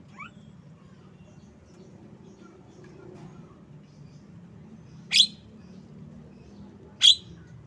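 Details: Javan myna, described as tame, giving two sharp, harsh, downward-sweeping notes about two seconds apart after a quiet start with a faint note, over a steady low hum.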